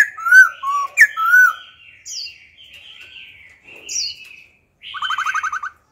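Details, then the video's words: Old wild laughingthrush alternating song styles to train young birds: loud curling whistles, then softer warbled notes and high slurs, closing with a fast even rattle of clipped notes. "Khướu già rừng hót giọng rừng, đảo giọng liên tục kích bổi hót, tập chim non"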